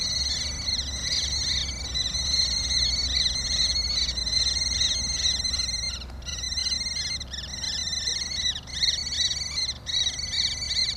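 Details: A mating pair of common kestrels: a shrill, rapidly repeated whining trill with brief pauses during copulation, which is often preceded by an offering of prey as a gift, over a low steady rumble of wind or distant traffic.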